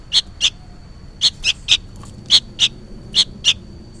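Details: Noisy juvenile sooty-headed bulbul, as if calling its parent, giving sharp, strident chirps in pairs separated by short pauses, about ten notes, with a faint steady whine in the background.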